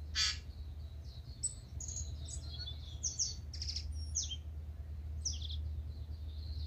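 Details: Native tūī stirring before sunrise in Manawatu, New Zealand: an opening burst of clicks, then a busy string of high chirps, short whistles and slurred notes, with a low background hum throughout.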